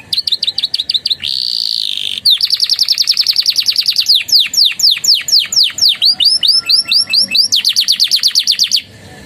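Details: Canary song laced with Javan tesia and bar-winged prinia phrases, kept as a tutor song for training: loud, high varied phrases, a sustained whistled note, rapid repeated downslurred trills and rolling chattered series, bird dominant throughout.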